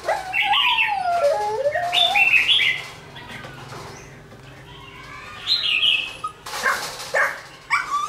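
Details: Red-whiskered bulbul, caught from the wild and caged twelve days, singing toward a decoy: fluty, wavering whistled phrases with falling slurs, a quiet pause, then sharp, clipped bursts and short rising notes.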